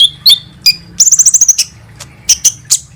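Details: High-pitched song of a kolibri ninja sunbird as a lure for singing birds: a few slurred chirps, then a quick twittering trill, and scattered sharp tweets at the end.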